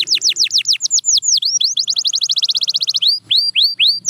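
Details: Singing canary delivering loud swooping whistled notes, first slow and falling, then a quick run of rapid rising notes, then back to spaced sweeping calls, with a faint low hum beneath.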